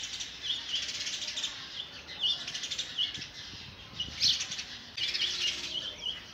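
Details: Sparrow chicks begging while a parent tries to feed them oversized food: thin, high chirps in quick overlapping bursts, swelling louder around the midpoint and again near the end, over a steady faint hiss.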